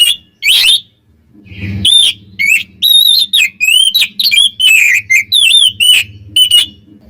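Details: Oriental magpie-robin singing to agitate rival birds: steady stream of short whistled notes and twisting warbles, evenly spaced, over faint low rumbling background noise.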